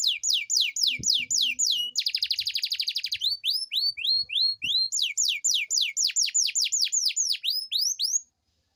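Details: Domestic canary singing a long rolling song meant to stimulate lazy canaries to sing: repeated high downward-sweeping whistles, then a fast buzzy trill, more rising and falling notes in quick series, a faint low knock near the start.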